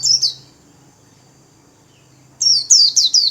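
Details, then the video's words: Caged white-eye spreading its wings while singing líu-style warble: a short high sweeping note, a quiet pause, then four quick descending high chirps in a rapid run. "KHUYÊN LÍU XÒE CÁNH CỰC KỲ ĐẸP"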